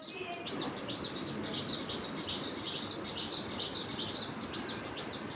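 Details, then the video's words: Birds chirping: rapid, repeated high arched chirps, about two or three each second, forming a steady busy pattern over a faint low background hiss. "Birds chirping"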